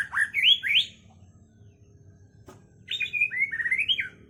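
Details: Caged white-rumped shama song: rich swooping whistled phrases, a pause with a faint click, then another run of looping whistled notes rising and falling.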